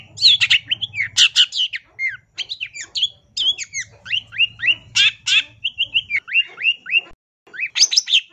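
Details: Training master of long-tailed shrike song: a chattering medley of sharp buzzy notes and downward-slurred whistles, tightly strung together, breaking off briefly near the end before resuming; a low hum sits beneath.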